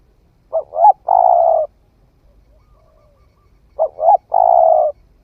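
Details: Spotted dove, a bird that has just started calling, tested in the forest, repeating its low coo twice about three seconds apart: a quick doubled note then a long steady hoot each time.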